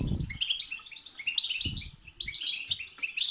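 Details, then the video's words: Batbata and setsata song from a European goldfinch, used to prompt another goldfinch to sing. It pours out busy chattering trills and twitters, with low thuds near the start and middle. "بتبتة وستستة تخرج الحسون عن السيطره..... هيجان خرااافي تسببه هذه البتبتة نار على نار سيغرد حسونك"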